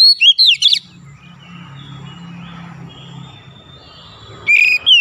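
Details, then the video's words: Magpie-robin 'gacor' song used to prompt a quiet bird: a short burst of quick whistled notes at the start, low background hum, then another loud whistled phrase near the end. "TERAPI MEMANCING KACER MACET BUNYI CEPAT KELUAR SUARA GACOR"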